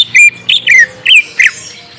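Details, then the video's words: Greater green leafbird singing to draw a reply from a young untamed bird: four loud, scratchy, slurred phrases, some dropping and some rising, separated by short pauses. "Pancing cucak ijo bakalan / mh langsung nyaut bunyi"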